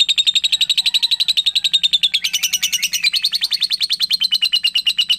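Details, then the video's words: A young lovebird delivers a drawn-out ngekek, fast, piercing chirps rattled off continuously, rising briefly to a brighter, harsher stretch midway. "LOVEBIRD MASIH MUDA NGEKEK PANJANG"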